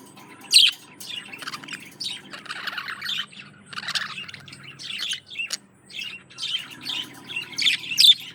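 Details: Courting male budgie performing for a female: soft gurgling chatter broken by sharp high squeaks at the start and end, phrases separated by short silences, with a steady low background hum.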